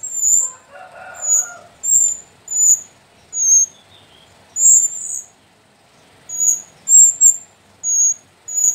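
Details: Four captive sooty-headed bulbul chicks from Mount Sumbing's slopes, three female and one male, utter high, thin, slightly slurred squeaks in uneven runs, with a soft low murmur early on and a short pause near the middle.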